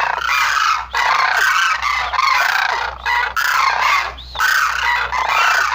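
Sarus cranes give loud, harsh, trumpeting calls in long blaring bursts broken by brief pauses, rough and honking in tone; no other sounds stand out.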